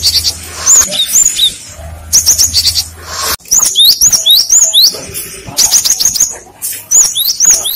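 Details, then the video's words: Lure song of the cinereous tit, drawing replies from other tits: dense fast series of high whistled upslurs and chirps, several phrases back to back. "Pancingan suara burung gelatik batu | gacor | gelatik lain langsung nyaut"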